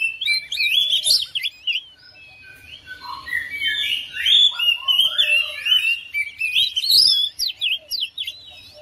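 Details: Oriental magpie-robin kept at home, singing in response to another bird and quickly joining in: varied whistled phrases with rising and falling notes and sharp chirps, a quieter gap in the middle, then a fast mixed run; indoor setting.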